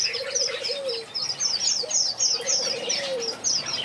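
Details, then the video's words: Backyard aviary finches give rapid high chirps in quick repeated clusters over a steady low cooing that rises and falls twice in the background. "Watch these finches sing a beautiful melody in my backyard"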